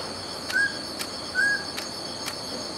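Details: Two clear, short whistled notes of a mountain scops owl, each a level pipe with a slight upward start, spaced under a second apart, with faint clicks and constant insect buzzing behind.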